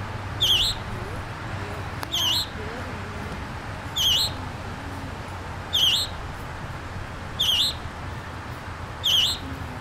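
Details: A young (baby) scarlet tanager at Memorial Park, New Kensington, Pennsylvania, sings six short, hoarse, burry notes, one roughly every two seconds, over a low background rumble with faint murmuring.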